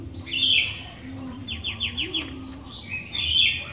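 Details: Lively sooty-headed bulbul song meant to set off other bulbuls: bright warbled phrases at both ends with a quick run of repeated descending notes between, over a low hum and a faint wavering tone.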